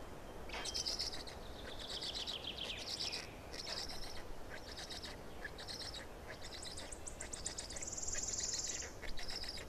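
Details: Black stork chicks in Estonia, 18 May 2019, when the fourth chick appeared: repeated harsh, buzzy high bursts in quick series, an early downward-sliding whistled note, and a steady low background rumble.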